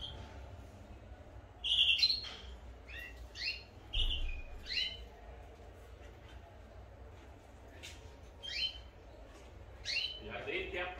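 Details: Domestic canaries singing as breeding pairs are about to be separated: scattered short whistled and chirped notes at varied pitches, some in quick pairs, ending in a rapid buzzy burst, with low room hum.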